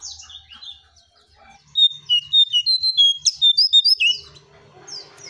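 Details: Striped tit-babbler song for luring birds: after soft mixed chirps, a quick run of about twelve clear, high whistled notes, each a short level or slightly falling pip, given about four per second, with faint low hum beneath.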